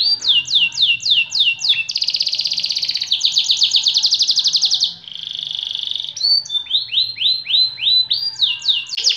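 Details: White AF canary, a caged pet bird, singing a long continuous song: rapid series of downward-sweeping whistled notes, then dense buzzy trills and a steady rolling tour, returning to quick descending sweeps; faint low hum beneath.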